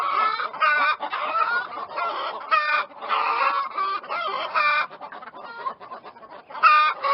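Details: Chickens of assorted breeds clucking together in a continuous, overlapping chorus of short nasal harmonic notes, with a few louder, drawn-out squawks rising above the flock.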